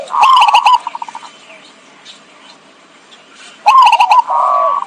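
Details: Lure call of zebra dove for trapping: a rapid stuttered coo that fades into a descending series of separate beats, a long near-silent pause, then another loud stuttering coo phrase.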